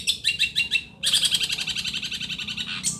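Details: Long-tailed shrike from Situbondo: quick stuttered notes, then a loud, dense, rapid chattering warble, with a low background hum.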